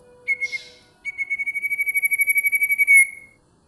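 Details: Bar-winged prinia song, sharp and shrill: a few quick opening notes, a pause, then a long, steady, rapidly pulsed trill held on one high pitch.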